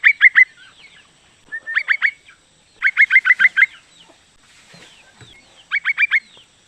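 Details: Female yellow-vented bulbul summoning a male: clusters of three to six quick, ringing chatter notes, pausing between groups, with soft faint twitters in the gaps.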